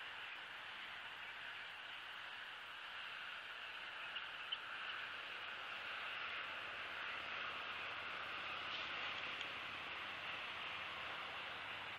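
Steady broadband hiss with no animal voice, loudest in the middle-high range and unchanging for the whole stretch.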